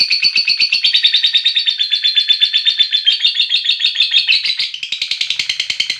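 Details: Calling its companions, a lovebird delivers an extended ngekek: a piercing, rapidly pulsed trill that holds steady, then briefly changes tone before carrying on, with nothing else audible.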